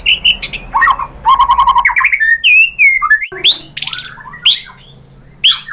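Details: White-rumped shama lure song: a busy mix of rattling trills, clear sliding whistles and harsh scratchy notes, loud and varied, with brief pauses near the end.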